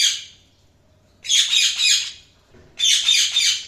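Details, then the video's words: Budgerigar chirping: three bursts of scratchy, warbling high chatter, each about a second long, separated by quiet gaps. "Budgies Sounds| Budgies Chirping sound | Budgies"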